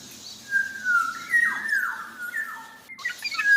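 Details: Black-naped oriole (Javan kepodang) singing actively: fluid, mellow whistled phrases that glide level, then swoop downward, with a short note to close, over steady high hiss.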